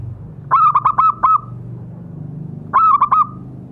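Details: A zebra dove call used to provoke captive doves into calling. Two loud, rhythmic bursts come about two seconds apart, each a rapid string of four or five bubbling coos ending in a drawn-out note, over a low hum.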